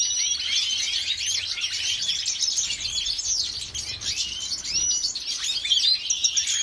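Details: Female European goldfinch of a white-headed mutation, kept by a Jordanian breeder, sings a dense, continuous high twittering of quick chirps, trills and short rising and falling notes with no pause.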